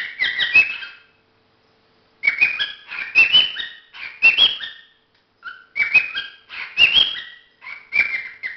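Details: Courting cockatiel giving repeated whistled phrases, each a burst of chattering notes ending in a rising, slurred whistle, delivered about once a second with short pauses.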